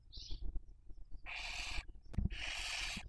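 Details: A barn owl nest webcam in Cabañeros National Park, Spain, during the 2023 breeding season, raising young, picks up one short soft chirp, then two strong, rough hissing screeches, each about half a second to a second long, with a brief knock between them.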